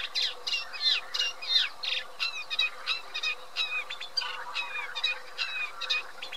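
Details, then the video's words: Eurasian reed warbler singing a jerky, chattering run of harsh, scratchy notes with squeaky high notes mixed in, each phrase repeated two or three times, over a steady low hum. "Cserregő nádiposzáta"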